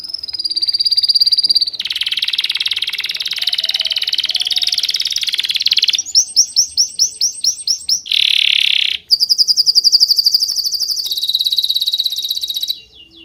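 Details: Bird chirping in a varied high song: buzzy trills, a series of quick repeated notes, a harsh rasping burst, then clear whistled trills, closing with a sudden drop to quiet.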